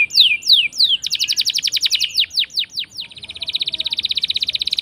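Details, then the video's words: Canary with a long rolling song meant to prompt silent canaries: loud descending sweeps, then a fast even trill, then a quicker rolling buzz of tight pulses. "Pancingan Kenari Gacor Ngeroll panjang!! Buat Kenari Macet Bunyi pun Langsung Respon"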